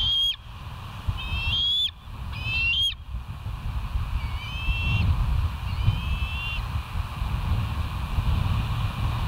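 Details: West End bald eagles on a live cam at 07:06 on 09/01/2023. Three sharp, high whistled squeals in quick succession, then two fainter drawn whistles fading into a steady low rumble.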